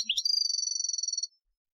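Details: European goldfinch, Algerian song style used as a training song, recorded 2015: one sustained high, pulsing trill holding level for just over a second after a short rising note, then silence.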